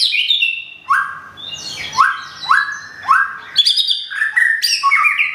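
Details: Recently moulted white-rumped shama kept in Thung Song, Thailand; clear song with a repeated up-slurred whistle about once a second, mixed with high sharp notes and quick twittering phrases.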